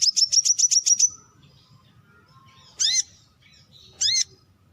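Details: Brown-throated sunbird: a fast run of eight piercing high notes, followed by two separate harsh, descending buzzy calls a second apart.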